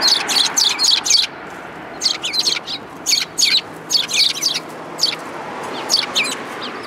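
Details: A group of sparrows gathers to be fed on a shrine approach path, 4 February 2022. Bright, high chirps come in quick clusters of three to five, separated by short pauses. A soft background hum runs underneath.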